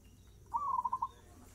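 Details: Single fast-tempo phrase from a gacor zebra dove: a short rising note followed by about five rapid, evenly spaced cooing pulses lasting under a second, with low steady hum behind.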